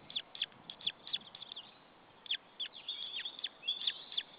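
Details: White-tailed eagle chick alone in a nest in Estonia after a parent left, 26 April 2013, late afternoon; thin high chirps in quick clusters, each note sliding sharply downward, with a pause mid-clip before the chirping resumes.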